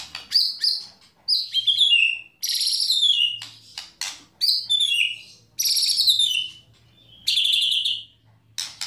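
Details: White-rumped shama giving tembakan and kretekan phrases meant to stir another shama's emotion and set it singing. Loud, dense bursts of high piercing notes and buzzy downward slurs follow each other quickly, separated by brief gaps.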